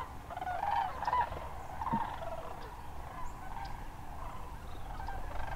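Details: Distant sandhill crane flock at Hiwassee Wildlife Refuge, Tennessee, winter 2013: soft overlapping rolling calls over a strong low rumble of wind or traffic.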